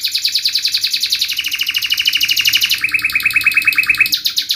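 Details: Canary rolling out dense rapid trills, pitch stepping down partway through while the rattle continues, ending with a higher burst.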